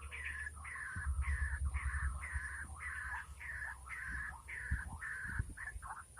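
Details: White-breasted waterhen call heard during a lure trapping session in the rainy season: about a dozen harsh, flat croaking notes given in a steady rhythm, roughly two per second, over low background rumble.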